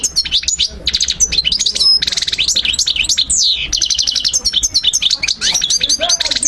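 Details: Song of the European goldfinch, played so young birds learn it: nonstop chattering twitter of high metallic notes, repeated chirp series and slurred downward whistles, brisk and varied.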